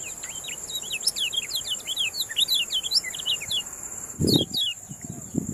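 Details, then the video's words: Yellow-rumped munia, contest training song: long fast series of sharp zigzag chirps and upward slurs, tumbling together, then a short gap and a few more notes, with low thumps near the end and a persistent high hum. "MASTERAN KECIAL KUNING MENJADI JUARA KICAU"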